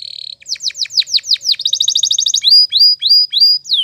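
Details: Spanish Timbrado canary in full song for canary training, morning: a brief trill, a series of steep downward sweeps, a fast bubbling roll, then evenly spaced high whistled notes repeated about twice a second.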